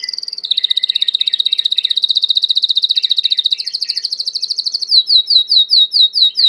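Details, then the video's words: Belgian canary singing a long, fast, even trill of high notes, shifting after about five seconds into slower, sweeping, down-slurred notes repeated roughly twice a second; no other sounds stand out. "COMO FAZER SEU CANARIO CANTAR MUITO 20 MINUTOS DE CANTO"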